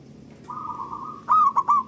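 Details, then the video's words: Local zebra dove song, meant to stimulate other doves to sing. A sustained, even coo runs into three loud, bubbling notes in quick succession, set over low background noise. "Pancingan Burung Perkutut Lokal Gacor Dor Bersaut Sautan $uara Keras Panjang"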